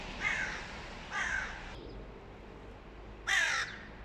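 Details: Hooded crow female, partner of the boss crow, insisting a young crow be attacked: two hoarse caws close together, a gap, then a louder rasping caw.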